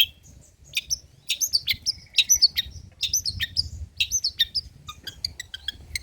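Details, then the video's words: Old-style long-tailed shrike song used to provoke and teach other birds: clusters of high chirps and short whistled notes in quick bursts, some buzzy elements, with soft background hum. "BURUNG CENDET MATERI JADUL BONGKAR MATERI MEWAH, COCOK UNTUK PANCINGAN DAN MASTERAN PENTET TROTOL"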